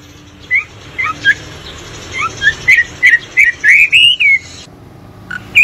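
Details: Hwamei (melodious laughingthrush) singing in the wild: a lively run of clear whistled notes around two kilohertz, quick slurred phrases gathering speed and rising into longer warbled notes, then a pause and one more note.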